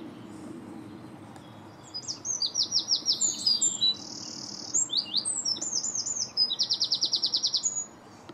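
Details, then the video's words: European greenfinch calling while feeding, filmed in 2017: after two quiet seconds come rapid, buzzy, high twittering trills in bursts, with a harsh steady buzz near four seconds and a final fast even rattle, over faint background hum. "A Greenfinch calling"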